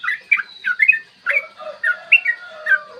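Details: Yellow-vented bulbul singing 'ropel panjang' in the morning, used to provoke other bulbuls; bubbly chirps, with a steady long whistle and lower drawn notes running beneath part of the phrase.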